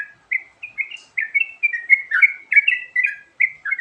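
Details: Sooty-headed bulbul singing a varied filler song, recorded to lure birds: a steady string of short, warbled whistle phrases with quick up-and-down slurs, about two to three per second, with no other clear sounds.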